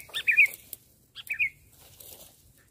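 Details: Sooty-headed bulbul, a lively singer performing on the ground instead of on a branch; two short bursts of bright, warbling chirps about a second apart, with quiet low rumble between.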